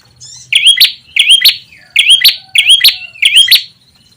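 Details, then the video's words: Ashy tailorbird call used as a bird lure: five ringing, upward-curling whistled chirps in steady succession, about two a second, clean and loud. "SUARA PIKAT PRENJAK TAMU/KEPALA MERAH"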